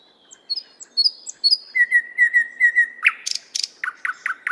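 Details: A nightingale singing in a Moscow park gives a varied phrase: high thin notes, then a rapid run of even, level piping notes, ending in loud harsh bursts and clicking chuks.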